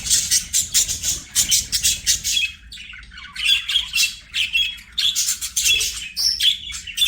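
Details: Budgies sing and play, giving a busy stream of sharp, high chirps and harsh squawks in quick bursts, with brief quieter gaps between the loud phrases.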